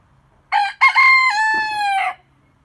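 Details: Rooster crowing, proclaiming his masculinity: a single cock-a-doodle-doo with two short opening notes followed by a long, steady, slightly falling drawn-out final note, loud and clear with little background noise.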